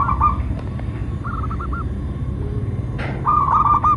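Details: Local zebra dove singing, a lure recording meant to set doves cooing and to trap wild ones: three short bursts of rolling, bubbling coo notes spread over four seconds above a steady low rumble.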